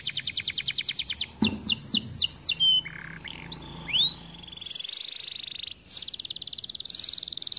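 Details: Song of a white canary: a quick high trill, then a series of falling whistled swoops and a few rising slurs, ending in steady buzzy trills of rapidly repeated notes.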